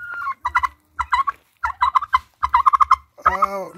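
A turkey gobbles in four or five quick, bubbling bursts of rattled notes, then a drawn-out harmonic sound closes the clip.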